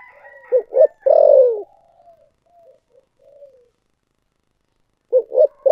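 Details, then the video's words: Spotted dove calling in the 'thổ sấm' voice: two brief hollow notes, then a long falling coo, followed by soft trailing notes and faint chirps. A second phrase starts near the end. "chim cu gáy giọng thổ sấm chuẩn nhất"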